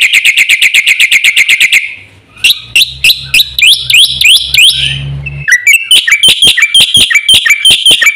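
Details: Caged black-winged myna in chatty full-fill song used as a lure and master recording: rapid repeated high notes, a pause, then varied rising and falling whistled phrases, followed by brisk, uneven sharp notes.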